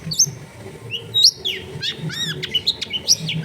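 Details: Long-tailed shrike singing near homes in a crowded neighbourhood, for prompting quiet birds: high piercing notes, quick rattling buzzes and arched whistles, roughly one per second, over a low background hum.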